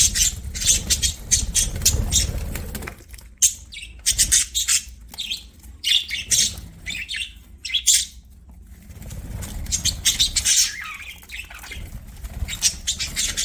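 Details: Budgerigars singing while playing; long stretches of fast, scratchy warbling chatter with clicks and squeaks, a quieter gap in the middle, then renewed chirping.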